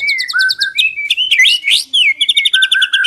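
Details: White-rumped shama lure song with a rapid high repeated trill, whistled slurs and sharp upswept notes, then another fast trill, loud and continuous.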